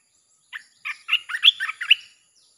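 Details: Red-whiskered bulbul singing in the rapid 'sap' (chopping) style used to lure wild birds: one quick phrase of about eight short, bubbly, warbled notes, rising in loudness toward the middle and ending abruptly.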